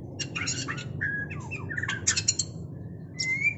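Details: White-rumped shama during mating, singing a varied mix of sharp high chirps, short whistled slurs and scratchy notes in quick bursts, with a steady low hum underneath.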